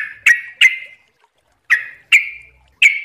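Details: Sooty-headed bulbul giving sharp, loud single chips with brief ringing tails, mostly in pairs, separated by a second-long silence.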